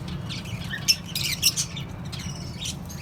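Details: Mixed colony of lovebirds, cockatiels and budgerigars: a few sharp high chirps clustered in the middle second, then sparse faint tweets, all over a constant low background hum.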